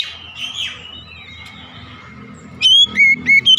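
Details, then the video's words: Oriental magpie-robin morning song: after a low, murky background with faint thin whistles, a burst of loud, clear whistled notes starts near the end, short phrases that alternate between high and lower pitches. "OCEHAN KACER DI PAGI HARI"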